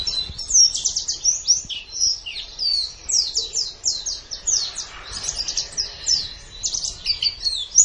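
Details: Training song of a white-eye for caged birds, best played in the morning or evening: sustained rapid twittering of high, downslurred notes packed closely together, barely pausing.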